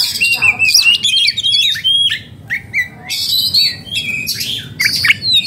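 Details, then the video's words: {'caption': 'Oriental magpie-robin, agitated and in breeding condition, delivers rapid whistled and warbled phrases mixed with scratchy bursts, notes tumbling about two each second in an irregular rhythm.'} "burung kacer jadi birahi dan emosi"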